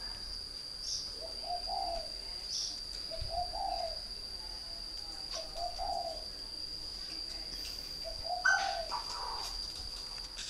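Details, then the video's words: Spotted dove from northern Vietnam, a caged three-year decoy bird, cooing four soft low phrases about two seconds apart, each a quick group of mellow notes, with a constant high-pitched whine and a few faint clicks. "chim cu gáy hay miền bắc Mồi 3 năm Lồng"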